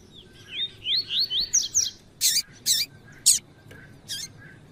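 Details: Double-collared seedeater (coleiro tui tui) singing with a female's call, used by breeders to excite the male: a run of quick rising slurred whistles, then several loud harsh broadband bursts spaced about half a second apart.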